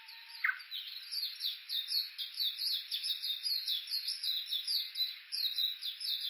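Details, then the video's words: Japanese bush warbler recorded with an Olympus Voice-Trek V-82 on a walk along the bush warbler road at the foot of Mount Yakushi, Kuka, Suo-Oshima, Japan. A short low steady whistle, then a rapid run of high chattering notes repeated several times a second. "original sound ウグイス"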